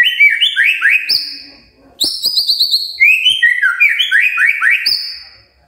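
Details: Magpie-robin in morning song intended to make quiet birds reply; bright rising whistled notes in quick series, a high sustained whistle, then more rapid upslurs, with a short pause between phrases.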